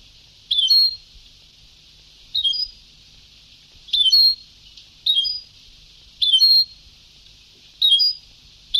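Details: European goldfinch on an old Sebtaoui-style tape, delivering six short, high twittering bursts with quick downslurred whistles, repeated about every one to one and a half seconds, with background hiss.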